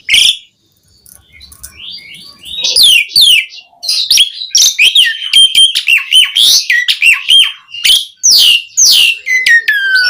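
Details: Asian pied starling song used to prompt other starlings to sing: after a quiet start, a dense burst of sweeping whistles, clicks and buzzy rattles, ending on a long descending whistle.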